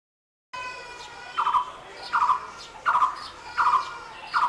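A Blue-throated barbet gives five loud, rolling, mid-pitched phrases, one every three-quarters of a second, over a steady droning hum.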